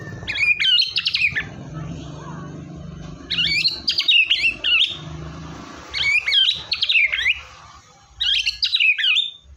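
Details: White-rumped shama singing vigorously, offered as a lure to coax a quiet shama into song: four bursts of rich, fast-changing whistles and chattering notes, each about a second long, separated by short pauses, over a low steady hum.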